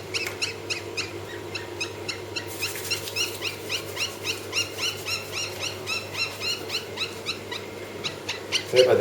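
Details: Southern ground hornbill (Bucorvus leadbeateri) chicks, 18 June 2023, give begging calls: rapid, repeated, high, harsh cheeps, several per second and overlapping, against a low steady hum.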